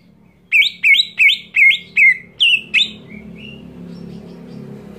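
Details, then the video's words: Provocative screech of a greater green leafbird aimed at rousing rival leafbirds: seven loud, sharp, rising notes in quick succession over about two and a half seconds, then faint thin notes and low background noise. "JERITAN CUCAK IJO BIKIN EMOSI IJO LAIN"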